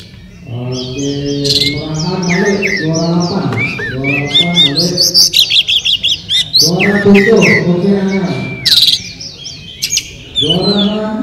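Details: Oriental magpie-robin (murai kampung, kacer) competing in a 2018 bird singing contest at Sri Aman, Sarawak, Malaysia: rapid, high, varied whistled and chattering phrases with sliding notes, over constant loud crowd chatter and talking.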